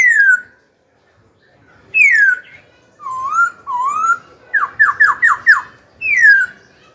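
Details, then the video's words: Singing to goad wild-caught rivals and coach young birds, a young pet Black-throated laughingthrush gives long falling whistles, two wavering rising notes, a fast run of five sharp downslurs, then another falling whistle. "KHiếu tơ hót dìu bổi cực hay. Khiếu hót hay kích bổi đấu, luyện giọng bổi, chim non."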